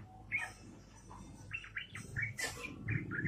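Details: Rapid, energetic yellow-vented bulbul song in ropelan style: a few spaced sharp chirps, then a burst of quick falling whistled notes and a brief harsh high note, with a faint low rumble underneath.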